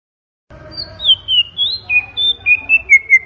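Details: White-rumped shama song: a run of clear whistled notes gliding down from high to middle pitch, then about eight short evenly spaced whistles near the end.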